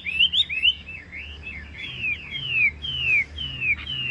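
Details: Tame caged Chinese hwamei singing loud, clear whistled phrases. Each note slurs downward and repeats roughly twice per second with small variations, in a quiet room.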